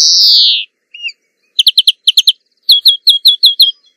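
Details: European greenfinch singing: opens with a long harsh wheezing note, then after a pause quick clusters of sharp chirps in threes, followed by a brisk series of clipped repeated notes.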